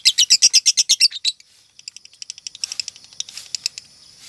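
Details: Female lovebird showing signs of 'konslet', a top-ranked singing class where her song style and notes start changing: a fast burst of sharp high chirps, then quieter scattered ticking notes and softer chatter.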